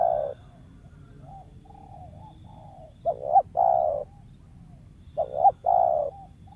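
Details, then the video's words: Wild spotted dove valued for luring, described as sometimes stuttering and giving kuk 1-2 notes; a faint coo at the start, then two full phrases of a short doubled note and a drawn-out low coo, two seconds apart. "TEKUKUR LIAR SUARA IDAMAN PEMIKAT"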